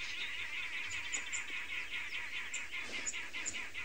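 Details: Several arrow-marked babblers babble at each other in a dawn chorus on 24 June 2020 at Tswalu Kalahari Reserve, South Africa. Their harsh, continuous chattering is topped by thin high chips from white-browed scrub robins and waxbills.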